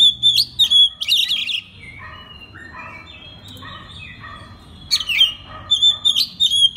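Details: {'text': 'Oriental magpie-robin master song meant to get other magpie-robins singing: loud clear whistles and sweeping notes open and close the passage, with a softer run of mid-pitched warbled and chattering notes between, over a faint background hum.'}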